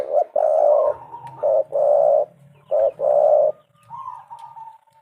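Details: Spotted dove as a lure for other doves: short coos alternating with long, flat, buzzy coos roughly every second, then a soft level whistle to finish.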